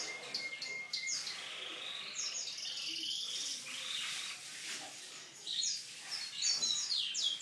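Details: Canary giving a song called unique: a steady whistled tone, then warbling high phrases and quick repeated trill bursts, varied and continuous.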